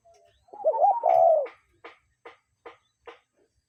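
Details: A real cuckoo out in nature gives one two-part call, short then drawn-out and sinking, followed by four evenly spaced dry clicks.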